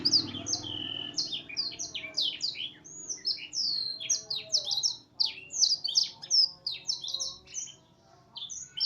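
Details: F1 canary singing vigorously, its song filled with learned black-throated canary phrases: a fast, unbroken stream of high, sharp chirps and sweeping whistled notes, each phrase changing quickly, with a faint low hum underneath.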